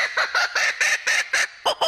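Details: A laughing kookaburra (Dacelo novaeguineae), an Australian native, gives a run of harsh, chuckling notes, about three a second, rising into its raucous laughing territorial call, given mainly at dusk and dawn.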